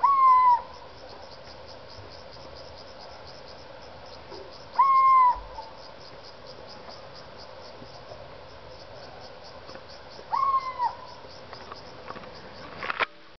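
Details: Big young owl, two months older, calling in its home area; three level whistled calls, each about half a second and ending with a slight downward slur, spaced roughly every five seconds over steady background hiss.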